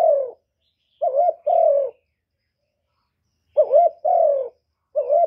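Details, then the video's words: Spotted dove giving its cooing call, used to draw wild birds to a trap site: paired soft coos, a quick wavering note followed by a longer slurred falling one, separated by a long silent gap, in a clean recording. "Cu gù cực hay kéo bổi về tàng"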